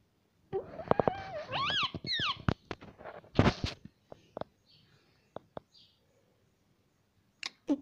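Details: Pet ringneck parrot, said to be talking and saying 'mummy', gives a run of bent, wavering harmonic syllables followed by sharp clicks and taps indoors.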